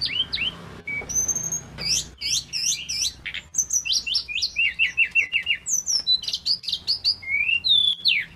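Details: Male pygmy cupwing in full song: fast, varied high whistles and sharp chirps, including rising slurred notes and a rapid run of repeated short notes, delivered almost continuously with brief pauses.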